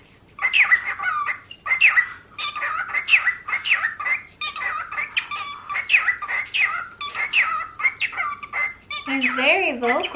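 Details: An excited pet cockatiel chatters in quick, warbling chirps and squawky notes, nearly a note a second, with its owner's voice joining near the end.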